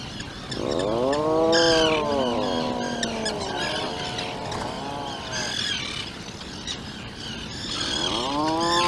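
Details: Atlantic puffins in a burrow on Seal Island with their 2-day-old chick, filmed by a live burrow camera; long, low, harmonic moaning calls that rise and then sag, repeated several times, over steady high chirping and background hiss.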